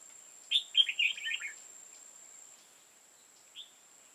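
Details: Red-whiskered bulbul acting as a trapping decoy, singing to challenge rivals: a rapid, clear run of about six warbled, descending notes within one second, then one lone chirp, over a steady high hum.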